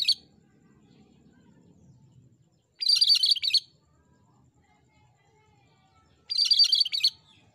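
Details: Cucak kerinci singing vigorously, kept as a tutor recording for songbirds: short, dense, chattering high phrases under a second long, repeated about every three and a half seconds, with faint low rumble between them.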